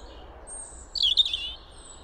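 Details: Wild European robin singing in spring: one short, intricate warbled phrase of rapid twisting notes lasting about half a second, with a thin, very high drawn-out whistle before and after it, over a quiet background.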